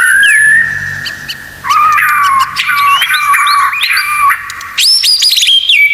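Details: White-rumped shama (murai batu) tutor song packed with 'tembakan' fill phrases: a long steady whistle, then a brief pause, then loud whistled notes sliding down and up, rapid chirps and a high repeated trill at the end.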